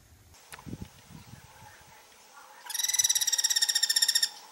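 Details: Guira cuckoo giving a loud, harsh, rapidly pulsed rattle rich in overtones, lasting about a second and a half, preceded by faint low thumps and a steady thin tone in the background.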